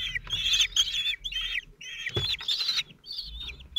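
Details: Four Common Kestrel chicks, 17 days old, at the nest in Théding, France, 27 June 2023, as the male delivers food. Harsh, high calls come in clustered bursts of two or three, separated by brief silences, with a soft thump.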